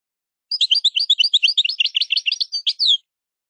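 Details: Goldfinch maknin song, a European goldfinch recorded for training juveniles: a lively, high-pitched chatter of quick, crowded notes over two and a half seconds, ending in a buzzy, falling flourish.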